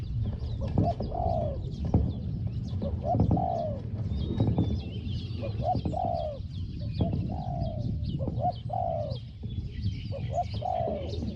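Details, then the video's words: Spotted dove calling during decoy luring of a wild target bird, small voice described as 'hong hong'; repeated low cooing phrases, each a short note followed by a longer drawn-out falling coo, with other birds chirping faintly behind. "ต่อนกเขาใหญ่ "เจ้าสาม"ตามตัวหมาย เสียงเล็ก หองๆ"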